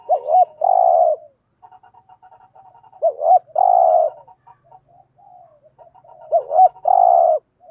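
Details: ["Spotted dove in 'thúc gù' decoy cooing to attract wild doves. Three phrases about three seconds apart, each a quick bouncing double note then a sustained buzzy coo, with soft stuttering notes in between."]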